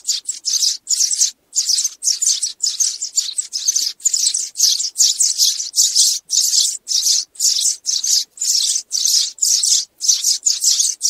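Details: Calls of sparrows rallying a flock, played for trapping; a continuous chain of shrill, chattering chirp groups with short silent breaks, no other noise.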